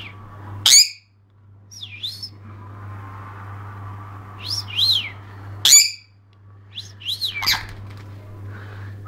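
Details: Pet Jenday conure excited during an indoor bath. Two loud, harsh squawks stand out among softer dipping and rising chirps, over a constant low electrical hum.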